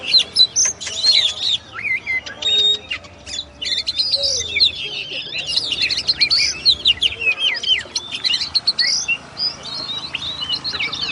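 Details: Extended song of the oriental magpie-robin, locally kacer: dense, ever-changing whistles, chatters and slurred notes run together for over ten seconds with brief pauses between bursts.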